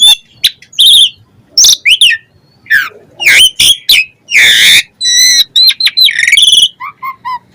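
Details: Asian pied starling singing a varied, energetic medley of harsh squawks, loud buzzy bursts, slurred whistles and quick chattering notes with barely any pause.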